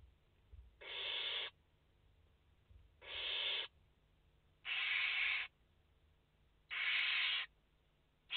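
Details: Barn owl young, five chicks in their nest on 29 August 2021, produce drawn-out breathy rasps roughly every two seconds, four in a row, over a quiet background.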